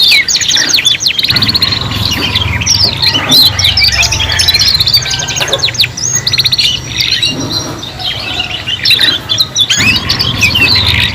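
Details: Canary song in a three-in-one tutor track for young canaries. Long, busy passages of fast trills, chirps and warbles are broken by brief pauses, over a constant low hum.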